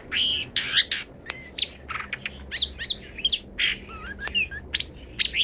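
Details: Long-tailed shrike delivering a 'kaya rasa' song: scratchy buzzy bursts mixed with clear twisting whistles, sharp clicks and quick chirps in a busy, varied stream, over a steady low background hum.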